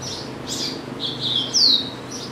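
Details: Pet double-collared seedeater kept at home and praised as a tireless singer: bright, high chirped notes come in short bursts, capped by one loud, clear descending whistle near the end.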